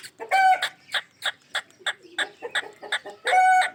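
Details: Ringneck parrot kept as a pet, opening and closing with long harsh squawks, with a run of short, evenly spaced clipped chatter notes between them.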